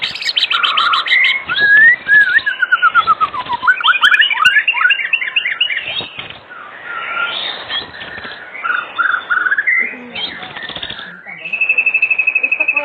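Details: White-rumped shama singing in the afternoon as a lure to make other shamas sing: a rapid, varied stream of clear whistles, rising slurs and chattering phrases, ending with a long, even, buzzy trill.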